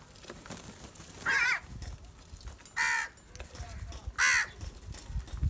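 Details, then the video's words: Angry house crows gathering and fighting over rice food: three loud, harsh, nasal caws spaced about a second and a half apart over low rumbling background noise. "Angry kauwa ki awaaz - Different kauwa ki awaz | Crow bird unity anger and sound for Rice Food"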